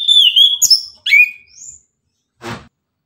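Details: Orange-headed thrush in lively morning 'tembakan' song: a sustained whistled note, then quick rising and falling slurs and a soft high trill, followed by a short low thump.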